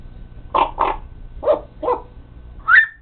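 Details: Pet parrot talking: four rounded, speech-like syllables in two pairs, then a clear upward-sliding whistle, heard in a quiet indoor room.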